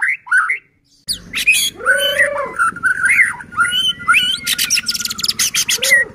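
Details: White-rumped shama (murai batu) song used as a lure to provoke other shamas to sing: a brief phrase, a short gap, then a dense run of varied whistles, slurred notes, a low curved tone and harsh rapid bursts over a low hum.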